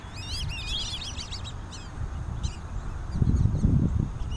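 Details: Black-bellied whistling ducks with juveniles at Twin Lakes, Diamondhead, Mississippi, in 2017, giving a rapid run of high, wavering whistles that thin into sparse single notes, with a low rumble of background noise building near the end.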